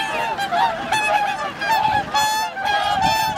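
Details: Swans on Lake Hyoko, Niigata, Japan, in winter, 8 January 2022, 2628 counted; clear repeated nasal honks, drawn-out and level, calling over a chorus of other birds.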